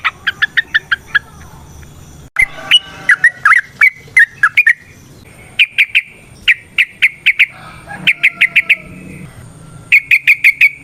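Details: A sooty-headed bulbul sings a ropel variasi song with nrotok and ngecuplik phrasing, used as a lure so other bulbuls start singing. Long trains of rapid, evenly spaced chirps are broken by a stretch of scratchier, varied notes.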